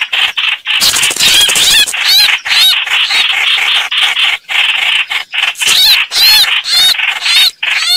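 Busy, bright chattering of a chao chảo bird: quick, high warbled and squeaky notes in dense bursts, about two a second, with brief pauses between phrases.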